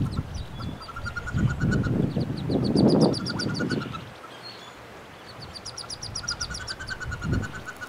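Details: Wood Duck ducklings, 19 hatchlings plus one Hooded Merganser chick in a nest box, April 2013; rapid high peep series come in bursts while loud low thumps and scratching fill the first half.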